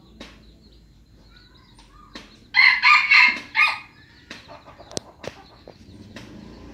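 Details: Red junglefowl, an F1 lure bird from Aceh, crowing: a loud, harsh, broken crow of three or four rough bursts lasting about a second, amid scattered clicks and faint background bird chirps.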